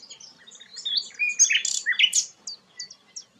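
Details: A sikatan londo flycatcher gives its sweet, lively song, kept as tutor song for White-rumped Shamas. Brief phrase of high whistled notes and squeaky upward and downward slurs, loudest in the middle, then trailing thin chips.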